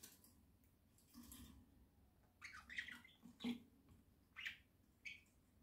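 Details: Pet budgerigars in a home flock, October 2024, chatter indoors with soft squawky chirps and short warbled notes spread across several seconds, over a low background hum.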